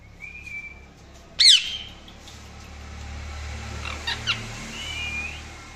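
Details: A thin whistled note from an Indian ringneck parrot, then one loud, sharp screech, followed by soft chatter and a faint rising whistle over low background hum.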